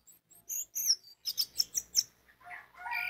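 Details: Lure song of an orange-headed thrush for making others sing: a few high thin whistles, then a regular run of six sharp, emphatic notes about one every fifth of a second, ending in lower warbled phrases.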